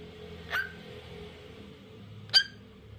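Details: Lutino cockatiel uttering two brief, sharp tonal chirps, the second louder, separated by nearly two seconds of quiet hum.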